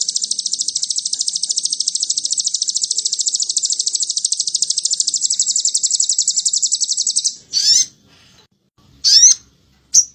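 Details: Crimson sunbird song used as a lure to provoke birds, in the rapid trilling style called cililin: a long, fast, high buzzy trill held steady for about seven seconds, then a few sharp high chirps with short silences.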